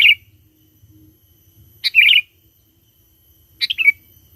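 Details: Lively sooty-headed bulbul lure song for calling wild bulbuls: three short chirpy, gurgling phrases under two seconds apart, the last ending in a slightly drawn-out falling note, with a quiet background.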